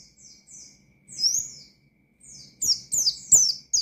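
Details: Soft, thin downslurred notes open this Oriental white-eye's ngalas-style challenge song, followed by a drawn-out slurred note, then louder rapid piercing chirps repeated about twice a second.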